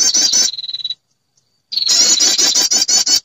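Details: Lure sound of a female prinia calling males: a fast pulsed high trill runs into a thin steady buzz, then after a pause a louder rapid buzzing trill resumes.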